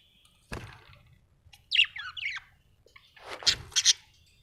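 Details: Quick budgie chirps come in a short squiggly cluster of twisting notes, then a pause and a louder burst of harsh chirps, with a sharp knock near the start.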